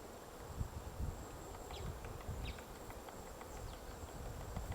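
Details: White-backed woodpecker digging a nest hole in a tree at Gongsanseong Fortress, Gongju, Republic of Korea, on a March 2024 morning: irregular, dull knocks spaced under a second apart, over steady background hiss with faint high chirps from other birds.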